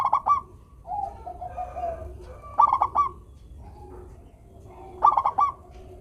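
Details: Melodious song of a local zebra dove (perkutut), meant to get idle doves singing: three rapid staccato coo phrases about two seconds apart, with wavering gentle cooing notes in between.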